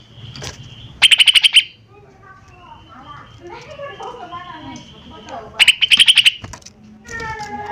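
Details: Lesser green leafbird lure song. Two bursts of loud, fast, buzzy repeated notes about four seconds apart, with a soft jumbled warbling filling the gap between them.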